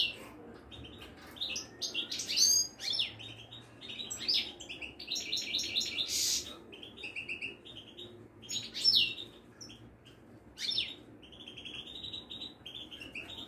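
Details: Caged Moroccan European goldfinch of the Widani type (meknine), kept at a bird market in Casablanca. It sings high, rapid twittering phrases with buzzy trills in irregular bursts over a low indoor hum.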